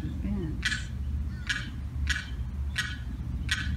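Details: Lost Limpkin chick on the 4th of July, separated from its mother and sibling by a fence, giving distress calls: five short, harsh, harmonic notes spaced about 0.7 seconds apart over a low background rumble.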